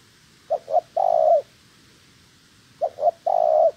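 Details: Spotted dove kept as a trap decoy bird in training, cooing twice: two quick short notes followed by a longer drawn-out coo, each phrase about one second long, separated by a pause over a quiet background.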